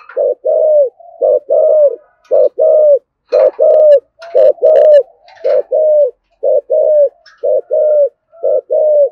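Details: Spotted dove pressing out rapid 'Thổ Sấm' coos intended to provoke wild doves; continuous run of paired low notes, a short one then a longer falling one, evenly spaced, with a few faint clicks and rustles in the middle.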